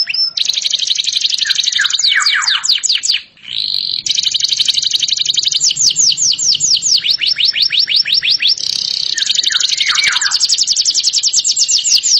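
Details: Extended canary song of buzzy high trills and rapid swooping notes, with a short pause early on and lower warbled notes between phrases.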